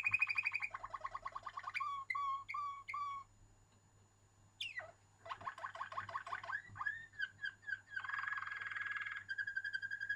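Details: Waterslager canary song with rolling trills, a run of repeated falling whistled notes, a short pause, then gurgling water notes and a buzzy rolled tour, over faint hum.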